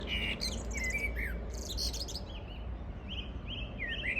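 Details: Wild birds singing on a morning of 14 June 2022: a mix of high whistled phrases, trills and short chirps from several birds, over a steady low rumble in the background.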